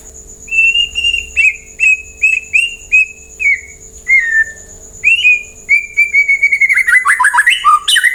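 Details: White-rumped shama song meant to get other birds to sing back: clear whistled notes repeated roughly every half second, then a quick burst of varied, tumbling phrases at the end, with a faint steady tone throughout.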